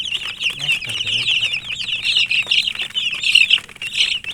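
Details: Several chicken chicks peep loudly and continuously, thin high chirps tumbling over one another, a few louder shrill notes, and a faint low hum underneath.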